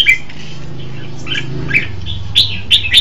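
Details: Red-whiskered bulbul song of short, sharp whistled chirps in separate bursts, growing louder near the end, with a constant low droning hum beneath.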